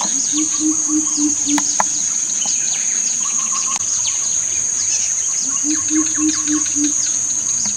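Greater coucal giving two runs of deep, booming hoots, about six evenly spaced notes each, over a steady high insect whine and scattered chirps of other birds.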